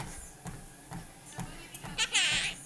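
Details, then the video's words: Quaker parrot kept as a pet, riding a treadmill as its owner walks and says bye-bye; one raspy, buzzy utterance arrives late, over steady low thudding footsteps. "Quaker Parrot Talking, Singing Happy Birthday and Beebopping"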